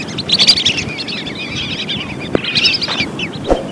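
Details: Lesser whistling duck calls intended as a lure: an early burst of rapid high whistles, softer trailing notes, then a second cluster later, with a couple of sharp clicks and low rumbling noise.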